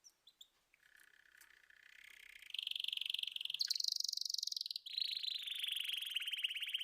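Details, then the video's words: A canary sings a long rolling trill that starts low and soft, swells louder, jumps higher in pitch, then drops back into a steady rapid rattle after a few brief chirps. "طيور كناري تغريد"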